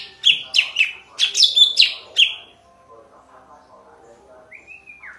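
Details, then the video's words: Sooty-headed bulbul singing with a clear, strong voice: a rapid volley of seven loud, bright chirps with down-slurred tails, then quiet, followed by a soft rising-and-falling whistle at the end. "Burung Cucak Ranting Suara Bening Power Tebal - Tiếng chim thanh tước hay"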